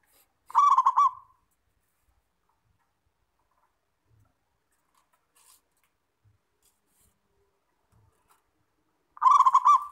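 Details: Local Zebra dove (perkutut), a frequently singing kept bird, as a clean training recording: one rolling phrase of stuttered coos, about eight seconds of quiet with faint soft knocks, then a second phrase starting.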